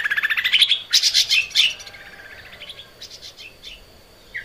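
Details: Lesser green leafbird in full song on a training recording for cage birds. Fast, loud rising-and-falling chirps over the first two seconds fade into softer, scattered high notes.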